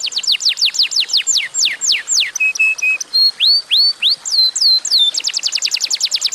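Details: Energetic Atlantic canary song meant to set other canaries singing: fast downslurred whistles, a few flat piping notes, rising and falling slurred whistles, then a quick high trill.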